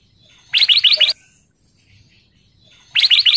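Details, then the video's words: Golden kutilang (sooty-headed bulbul) singing in full lively form as a lure to prompt other birds to sing: a quick burst of four bright, buzzy rising notes, then silence, then the burst starts again. "KICAU BURUNG KUTILANG EMAS GACOR SUARA KRISTAL JERNIH"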